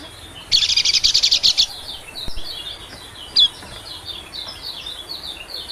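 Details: White-eye lure call for attracting small birds: one loud rapid buzzy trill lasting about a second, followed by faint scattered high chirps and a short sharp note.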